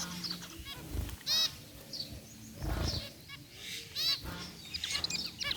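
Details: A group of white and grey zebra finches in an outdoor aviary give nasal, toy-trumpet-like beeps and honks at irregular intervals, with soft thumps and rustling underneath.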